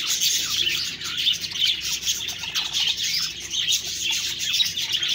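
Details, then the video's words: Budgies twitter nonstop, a thick layer of shrill chirps and chattering notes with small swells in loudness. "Budgies Birds talking sound Birds chirping sounds"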